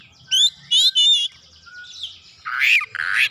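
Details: Oriental magpie-robin responding at once with mimicked fill-in phrases: three ringing whistled notes, a soft low whistle, then two loud harsh rasping bursts.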